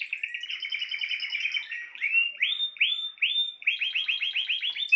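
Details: Spanish timbrado canary delivering a quick trill, then a slow series of separate upslurred notes, then a rapid burst of repeated notes at a brisk, uneven pace.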